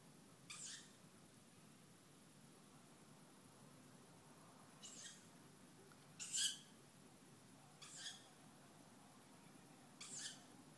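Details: One of two young tawny owls calling at night, from around 23:07 and through the night, gives five short, breathy, hissing screeches spaced unevenly about two to four seconds apart, over a faint steady night hum.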